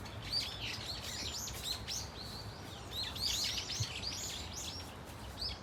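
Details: Brown-eared Bulbul flock in Dunsan Grand Park, somewhat distant, giving irregular high squeaky calls and short whistles, overlapping in loose bursts over a soft background rumble.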